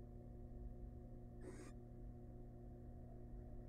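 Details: A male wild barn owl arrives at the nest box carrying a big rat for his family; one rasping, breathy hiss-screech lasting about a quarter second stands out against a constant low electrical hum.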